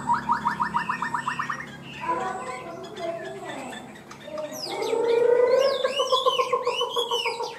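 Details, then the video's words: Chinese hwamei cage bird singing 'cao cầu', steady and fast to start: a quick train of repeated rising notes, lower mixed sounds, then looping whistled warbles over a steady tone. "Chim họa mi hót cao cầu, ra mỏ nhanh ổn định"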